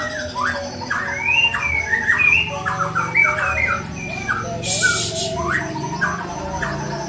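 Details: Young wild-caught white-rumped shama from the forest singing: a run of varied short whistled and chattering notes, some rising, others dropping sharply, delivered in quick succession, with a steady low droning hum underneath and a brief hiss near the end.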